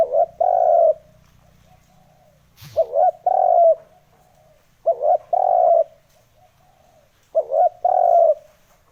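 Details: Spotted dove lure call for provoking wild doves: a short wavering coo followed by a long, steady, mellow croo, in three phrases about two and a half seconds apart. A brief click sounds in the middle, over faint low hum.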